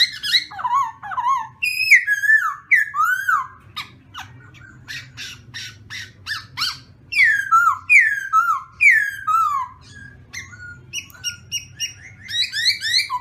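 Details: Morning voice-training song of a black-throated laughingthrush. Rich, varied whistles slide downward in rapid sequences, broken by bursts of sharp clicking notes, with short pauses between phrases and a constant low background hum.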